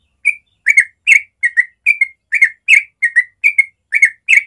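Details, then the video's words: Yellow-vented bulbul singing ropel in the morning, a tutor recording: steady chain of short liquid whistled couplets, about two per second, bright and chirpy throughout. "Masteran Trucuk ropel suara alami pagi hari"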